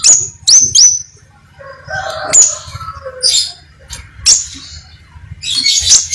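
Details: Crimson sunbird in full song, three piercing high upslurred notes in fast succession, then softer lower twittering and scattered high squeaks over a faint hum.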